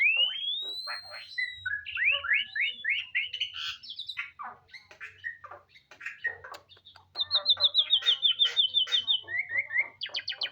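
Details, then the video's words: Caged Asian pied starling, known locally as jalak suren, singing actively after a simple care routine: a varied, fast song of rising whistles, buzzy trills, chattering notes and a long rapid wavering trill near the end. "Anda dapat melihat burung itu bernyanyi dengan aktif sepanjang hari."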